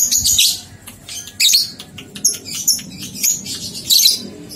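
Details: Shrill lovebird ngekek chatter, played as training material to prompt two-month-old young birds to sing: a near-continuous run of sharp, squeaky chirps and rasping bursts, with a low murmuring background.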